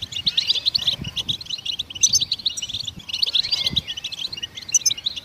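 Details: Goldfinch song meant to stimulate songbirds, given as two bursts of fast, jangling high twitters, about two seconds each, separated by a brief quieter gap.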